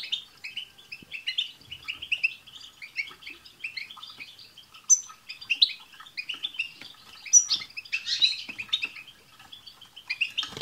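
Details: Group of European goldfinches singing to encourage a pet goldfinch to sing: long run of tinkling chirps and twitters from several birds, with louder buzzy bursts in the second half.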